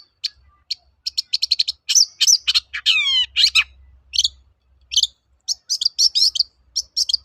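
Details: Rapid 'toet-toet' song of a long-tailed shrike, a training lure: trills of high ticking notes, descending swept whistles and bright chirp series, with faint low rumble beneath.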